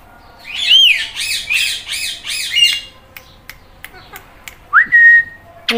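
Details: Indian ringneck parrot, green, talking and meowing: a series of five rhythmic arched squawks, then clicks and a rising whistled note that levels off.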